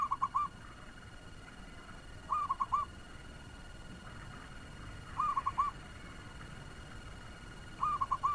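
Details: A local Zebra dove used as a lure bird, singing fast, gives quick bursts of three or four soft, rolling coos, repeated roughly every two and a half seconds, over faint background hiss.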